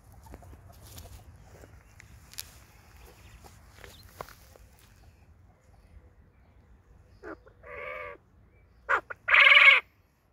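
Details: Male tuxedo quail singing in a garden alongside hens: quiet background, then after seven seconds a short sharp note followed by rough harmonic bursts, with a final loud, buzzy burst near the end; faint low rumble throughout.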